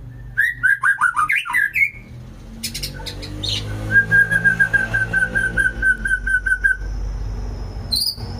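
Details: White-rumped shama singing: a burst of rapid, varied whistled notes, then a long, even, rippling trill held for about three seconds, and a last high note at the end.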